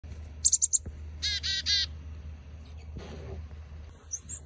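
A chickadee gives a quick run of four high, thin notes, then a short buzzy series of rasping notes, with a soft low hum beneath.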